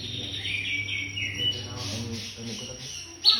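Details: White-rumped shama, cungkok song for tutoring: descending whistled notes and soft warbling, ending in a sharp loud high note, a low steady hum and faint insect-like buzzing behind.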